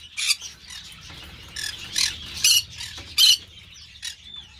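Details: Green-cheeked parakeet from an amateur breeding collection giving a quick run of grating, screechy calls, about four strong bursts in under five seconds, with faint chatter behind.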